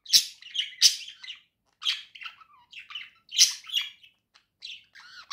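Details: Two pet budgerigars singing together indoors: continuous scratchy warbling with loud squeaky accents, buzzy chatter and short wavering whistles, phrases separated by brief gaps.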